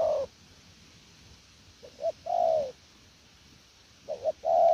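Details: Spotted dove caught from the wild, cooing in the 'gù lèo nước' style: a double short note leads into a long, smooth, falling coo, with pauses of about a second and a half between phrases.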